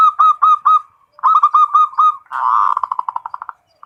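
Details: Local zebra dove singing a full ngerot-style song, said to raise breeding drive: runs of clear, ringing coo notes repeated quickly, a pause, another run, then a rougher rolling burst breaking into fast pulses.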